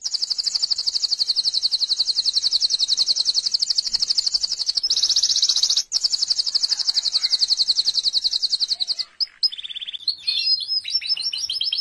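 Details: Singing canary delivering an extended high, fast trill for about nine seconds with one brief pause, followed by a lower trill and quick varied chirping phrases at the end.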